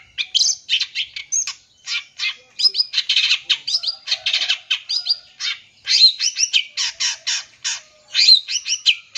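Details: Long-tailed shrike singing a full-isian song of many mixed phrases, used as a lure to provoke young birds. Dense, continuous high chattering blends harsh rasping bursts, whistled slurs and quick trills with barely any breaks.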